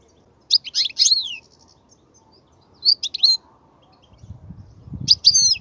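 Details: European goldfinch singing to teach young birds: short bursts of high, tinkling twitters with gaps between them, over a faint low rumble of background noise.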